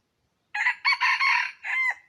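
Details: Crow of a red junglefowl, a sound used as a lure to draw in wild chickens: a loud, hoarse crow in four linked phrases, the final one ending in a falling tail, about one and a half seconds long.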